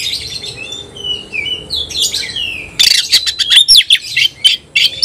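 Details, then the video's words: Oriental magpie-robin competing against a rival: a soft warbled run of sliding whistles, then abrupt loud bursts of rattling chatter and sharp clicking notes. "kacer gacor ngobra KONSLET nembak lawan tarung"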